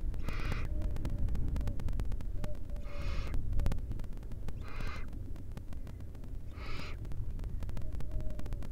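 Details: Wild barn owl nestlings in an Israeli nest, where the seventh chick hatched that day, produce repeated breathy hissing screeches every one to two seconds amid heavy low-frequency rumble and faint thin whistles.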